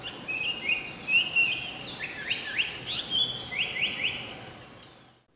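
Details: Japanese paradise flycatcher spring breeding-season song, used for courtship and territory, of clear, high whistled notes, some sharply rising, given in three quick bursts over a soft background hiss.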